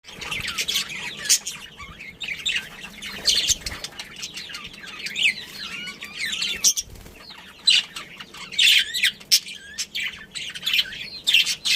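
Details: Budgerigars, a breeding pair with their family, chirping: dense high warbling chatter with quick rising and falling squeaky notes, near-continuous, with a short pause near seven seconds.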